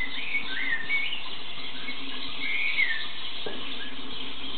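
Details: A rainbow-variety lovebird gives a few thin, high chirps and short whistled notes, scattered irregularly over a steady low background hum.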